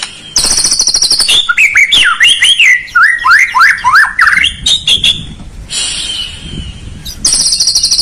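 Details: White-rumped shama song meant to stir a lazy bird into singing: a high rattling trill opens, followed by a run of repeated, swooping whistled notes, a brief pause, and the trill again.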